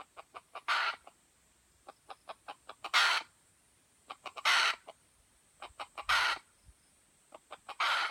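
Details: An F1 white-legged junglefowl in Aceh gives loud harsh bursts about every 1.6 seconds, each introduced by a row of crisp clicks, over a faint constant high-pitched hum.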